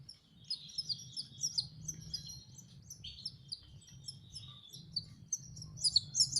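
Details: Young canary learning to sing, producing a continuous, rambling high warble of buzzy twitters and chirps, softer in the middle and ending in a brighter burst of notes, over a low background hum.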